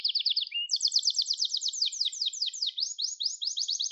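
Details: Gloster canary song meant for training other canaries: a brief quick trill, then one long rolling tour of rapidly repeated high notes, changing pattern a few times without pause.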